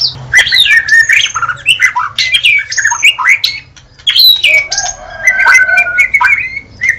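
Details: Murai batu, or white-rumped shama, giving a continuous rich song of overlapping whistles and squeaky chirps, ending in longer drawn-out level whistled notes, with a low hum behind.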